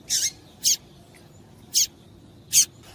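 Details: A female double-collared seedeater calling to excite the male: a quick double chip followed by three sharp, high single chips spaced through three seconds.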